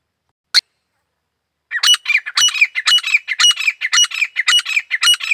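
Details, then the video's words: A Grey francolin gives a single sharp click, then a fast run of loud, harsh, grating notes, about three a second. "Desi Teetar ki awaz¥Grey Francolin Voice"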